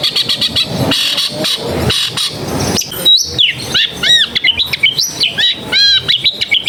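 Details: Long-tailed shrike in a busy residential area, a recording for coaxing quiet birds into song: a scratchy, rapid chatter gives way to loud looping whistles and hooked notes sliding up and down.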